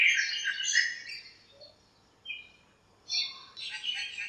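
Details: Backyard birds gathered in a lemon tree on a sunny morning, chirping and fighting; a dense burst of high chirps, then quiet, then a second cluster of buzzy twitters.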